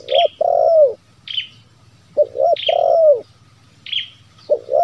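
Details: Zebra dove lure call for attracting wild doves: repeated phrases of clipped double coos and a longer falling coo, mixed with sharp high chirps from another bird, over a low background hum.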